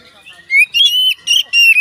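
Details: Oriental magpie-robin song, said to trigger singing in other magpie-robins; after a quiet start, three or four loud, sweet whistled notes, some sliding upward.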